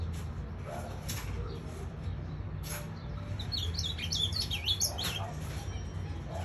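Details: Ultramarine grosbeak in the pelado song style, kept by its owner: after a quiet start, a fast string of sweet, slurred high notes rises and dips, over low hum.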